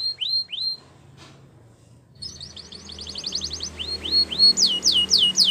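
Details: Belgian canary singing as training for young canaries: two rising whistles, a pause, then a soft rapid trill and a run of upward-sweeping whistled notes, light background hiss.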